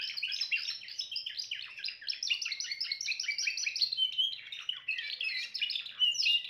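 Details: Timbrado canary song of fast, rolling trills delivered without pause, with a brief steady whistled note near the middle before the rapid chattering phrases resume; background quiet.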